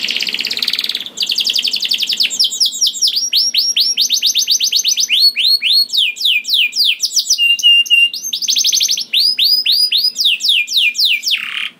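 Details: Canary in full, vigorous song with long rolling trills, used to spur other canaries into singing; rapid buzzy trill opens, then fast chains of high downslurred notes and chattering rolls in quick succession, with no pause.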